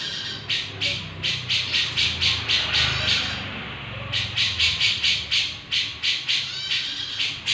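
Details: Grey-cheeked bulbul calling vigorously: a rapid series of harsh, rasping, broadband notes, about four per second, with a brief pause near the middle, over a low background hum.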